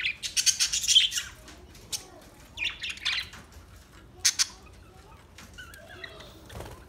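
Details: Newly acquired budgerigars, several birds, giving a burst of rapid harsh squawks and chirps at the start, then scattered shorter scratchy calls with quiet gaps between them.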